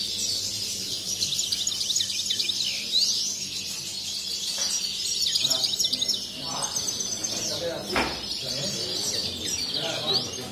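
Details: Caged European goldfinches singing at a competition of a bird society in Sant Joan Despí, Las Planas, Barcelona, on 23 November 2019. Several birds overlap in dense, high twittering trills and chirps, with a faint murmur of people and a sharp knock.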